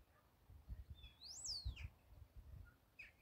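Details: Common starlings singing in a linden tree on March 28, 2024, recorded on a phone: one long, loud whistle swoops up then slides down. A few fainter short notes follow, over low rumbling background noise.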